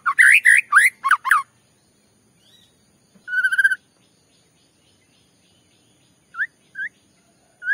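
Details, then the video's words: White-rumped shama song for provoking another shama: a loud burst of twisting whistles, a short buzzy trilled note, then quiet with a few isolated rising whistles. "Pancingan Murai batu bikin murai emosi"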